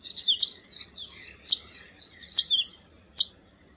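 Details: Zitting cisticola giving four sharp high 'zit' notes about a second apart over a continuous high, chattering twitter that runs through the whole stretch.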